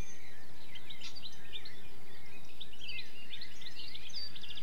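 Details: Rapid twittering song of a European goldfinch alongside other birds: busy clusters of high, jangling, slurred notes that swell toward the end, over a steady low background hum.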